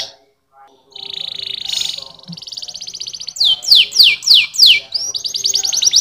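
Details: Canary song opening with a sustained rolling trill, then several loud descending whistled notes repeated about three per second, ending in another fast trill.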